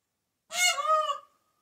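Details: Peacock giving a single loud, nasal, honking call of about three quarters of a second. It is strongly harmonic, with a slightly rising tone that levels off before stopping abruptly, and nothing else can be heard.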